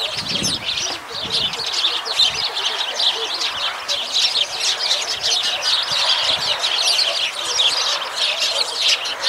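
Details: Sparrows chirping as a flock: a dense, continuous chorus of short, high, overlapping chirps and tweets with no pause, plus a few soft low thumps near the start.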